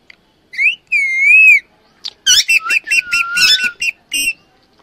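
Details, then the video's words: Female Alexandrine parakeet, called pahari tota, giving loud harsh whistled calls: a rising-falling wavering note, then a rapid burst of raspy squawks ending in a sliding whistle, with short pauses between phrases. "पहाड़ी तोता की आवाज #pahari_tota #female_alexadrine_parrot_sound"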